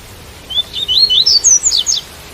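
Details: Seedeater (double-collared) in tui tui song, with rain sound: a rapid string of about nine high, thin, upslurred chirps lasting around one and a half seconds, rising then dropping slightly at the close.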